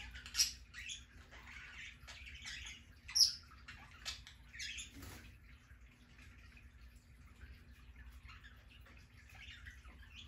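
A Bourke's parakeet gives soft, high chirps and twitters in scattered bursts, loudest in the first few seconds, over steady trickling water and a low hum.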